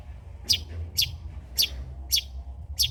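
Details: Long-tailed shrike singing old-style song material used to lure and tutor birds: loud, sharp high chirps repeated about every half second, evenly spaced, over a low rumbling background.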